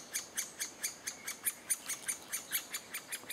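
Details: Adult great spotted woodpeckers feeding chicks in June 2011; a steady series of clipped, high, hard ticking calls, roughly four to five per second, continues through the whole stretch over a quiet background.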